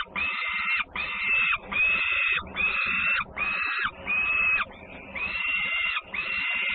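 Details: Peregrine falcons at Włocławek, Poland, on 3 June 2010, fed twice while a young sister returns home making a great racket: harsh, drawn-out screaming calls, each under a second, repeated nine times with short breaks.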